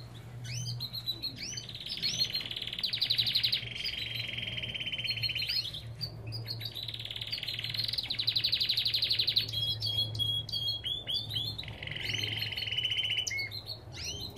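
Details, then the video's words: Aviary Belgian canary singing in long bursts of fast, rattling trills broken by short whistled chirps, the trill phrases recurring several times, over a faint low hum. "Lindos cantos de canários!"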